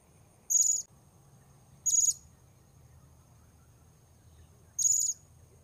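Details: Blue-crowned hanging parrot calling during an effort to lure wild birds at a new site: three loud, piercing, very high buzzy bursts, each under half a second, spaced irregularly over a quiet background with faint low hum.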